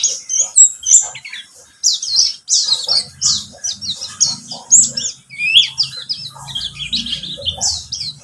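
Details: Buxtomi white-eye singing in a lure recording: rapid, high-pitched twittering and thin chirps in jumbled phrases, over a faint low hum.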